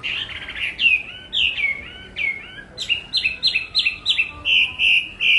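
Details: Chinese hwamei song: loud, clear whistled phrases, first slurred downward notes, then a fast run of repeated rising-falling whistles, crisp against a quiet background.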